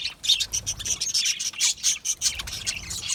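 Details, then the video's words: Budgies, small Australian parrots, giving rapid overlapping chirps, about a hundred bursts a minute at an uneven pace, high and scratchy with occasional clearer whistled notes. "Budgie chirping sounds"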